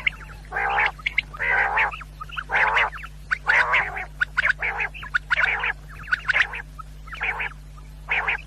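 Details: Quail sound for hunters, for night use: rapid series of rough, buzzy bursts mixed with sharp clicks, coming about once a second over a constant low hum.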